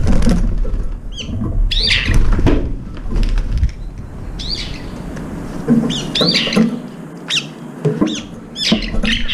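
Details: Brown-eared bulbuls crowding a feeder and fighting over food: short, harsh, downward-sweeping shrieks in scattered bursts, some clustered closely, mixed with wing flaps and a low rumbling background.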